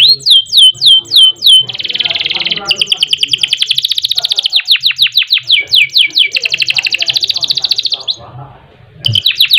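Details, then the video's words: Canary delivering a long song with rolls for use as a master recording: clear downslurred whistles, a dense buzzy trill, then long runs of rapid rattling notes, ending after a brief lull in more song. "Kenari Gacor Panjang Ngerek Ngerol Nembak Mantap Buat Masteran dan Pancingan | Bird Singing"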